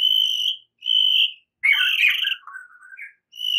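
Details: White-rumped shama singing in the morning while learning to fight: long pure steady whistles repeated with short gaps, broken by a scratchy burst and a low wavering whistle.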